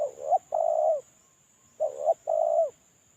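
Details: Spotted dove decoy bird, currently molting and unpaired, giving its lure call: two paired phrases, each a short wavering coo followed by a longer, steady, hoarse purring coo. Quiet background with a faint steady high hiss.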